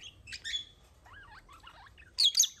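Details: Caged pet parrot after laying an egg in its cage: quick high chirps, then a run of wavy warbled whistle notes, ending in loud harsh squawks.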